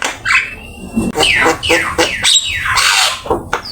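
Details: A Javan myna sings a master song with full isian fills. Several loud descending whistled sweeps are interleaved with harsh raspy notes, recorded with Open Camera.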